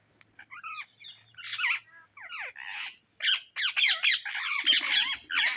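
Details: Indian ringneck parrots searching for seeds give rapid, rising, shrill harmonic squawks that build into an almost continuous string of screeches toward the end.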